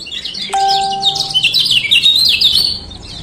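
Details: Lombok male kecial kuning (lemon-bellied white-eye) pouring out a fast, high, jumbled twitter of sharp chirps, with a brief steady chime-like tone near the start; meant to coax reluctant birds into opening their beaks.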